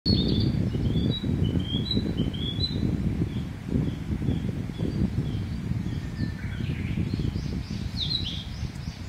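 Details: Narcissus flycatcher singing: short, clear whistled phrases, high-pitched and slurred, repeated through the recording, partly faint, over a steady low rumbling handling noise.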